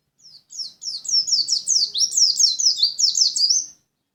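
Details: Lumajang white-eye delivering a sustained, fast series of high, down-slurred chirping notes, about a dozen strung together over three seconds, clean with little background.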